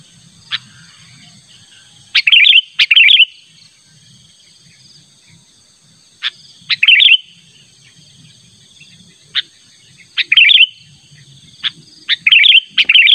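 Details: Sooty-headed bulbul calling insistently to lure a rival, natural sound: scattered sharp chips and short bubbly phrases in bursts a few seconds apart, over a steady faint high hum.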